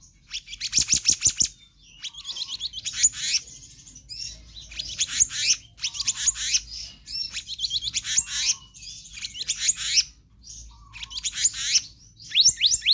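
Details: Black-naped monarch in full-variety nonstop song for prompting and tutoring kept birds: dense bursts of high, rapid chattering notes and trills, repeated in phrases every second or two with short pauses, over a faint low hum.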